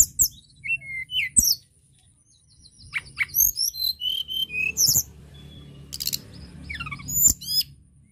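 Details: Mountain tledekan in vigorous song to prompt other birds: a string of thin high whistles and sweeping chirps, then a brief gap, then descending trilled notes and sharp clicks.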